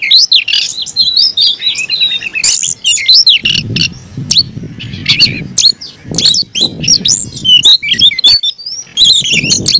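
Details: Caged Oriental magpie-robin in aggressive fighting song, a dense run of loud whistled notes, sweeping slurs and harsh chips mostly between 2 and 8k, with low rumbling background noise in the middle and at the end.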